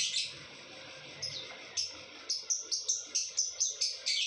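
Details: Lovebird singing in the ngekek style, also described as ngecor; after a faint start, a quick series of short, sharp high chirps repeats several times per second through the second half.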